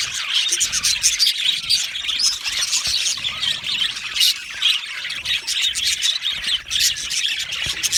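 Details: Australian budgies chirp and squawk together in an aviary. Rapid overlapping high notes swell and dip, and occasional sharper squawks and short whistles stand out.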